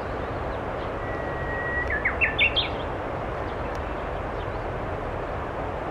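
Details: Japanese bush warbler singing wild along the Tama River in March: a long, steady whistled note followed by a quick rising, stepped flourish of short phrases, over constant loud traffic or train rumble.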